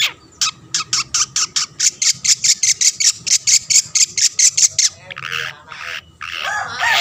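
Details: Long-tailed shrike (cendet) singing to rile rival shrikes: a rapid, even series of about eighteen harsh scratchy notes over five seconds, then a softer noisy jumble.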